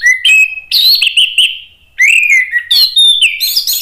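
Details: Orange-headed thrush singing as a lure to draw an answering song from another bird. Fluent whistled phrases rise and fall, broken by rich warbles, with one short pause before a new phrase of sliding whistles.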